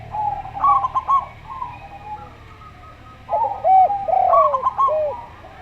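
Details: Local zebra dove's slow trilling coos with rapid stutters, followed after a pause by a Javan derkuku's arched, falling coos; low hum in the background.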